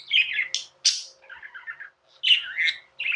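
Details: Pet budgerigars kept indoors in India trilling and chirping, rough warbling phrases with sharp rising squeaks, a short pause, then more chatter.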